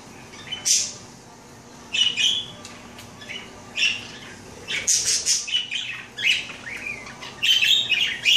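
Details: A female pet parakeet taking her daily bath gives a string of short, scratchy chirps and chattering notes in quick bursts, with brief splashing-like noises between calls.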